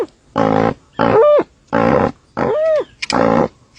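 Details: Dusky-legged guan giving a strange vocalization: loud, harsh, roaring honks about half a second long, repeated roughly every 0.7 seconds, some with a whining arched overtone.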